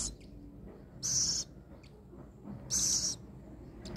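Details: Rescued little owl waiting to be fed makes two strong, drawn-out hissing wheezes about a second and a half apart, with small clicks and a soft low hum in between.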